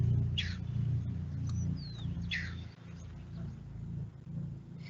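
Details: A resident Striated Heron at Santa María del Lago wetland, Bogotá, gives two harsh, downward-slurred 'skeow' calls about two seconds apart over a steady low rumble.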